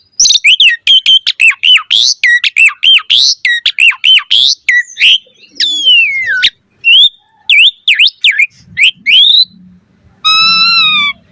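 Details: Asian pied starling singing in the 'mompa' style with full variation, used as master training audio for caged starlings: a fast run of sharp whistled chirps and slurred rising and falling notes, then separate clear whistles and a final long wavering note.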